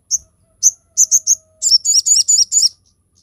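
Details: Crested jay (sogon) song used as training and lure material for other birds: sharp high chirped notes, first spaced singly, then a rapid run of about eight doubled buzzy notes, clean background.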